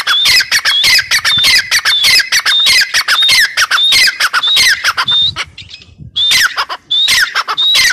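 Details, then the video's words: A grey francolin calls loudly and continuously with harsh, ringing, high-pitched notes in quick succession, with a brief pause near the end before the calling resumes. "Teetar awaz | teetar ki boli | gray partridge voice | dakhni teetar voice"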